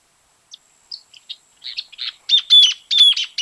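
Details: Greater Thornbird from Argentina: a series of sharp chip notes, spaced at first, then speeding up and growing louder into a dense, ringing chatter.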